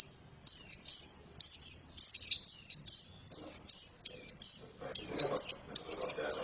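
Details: Female white-eye singing a fast string of high, thin twittering notes. Each burst is a quick run of short, sharp chirps that slide downward, repeated about once a second with brief gaps, over quiet background.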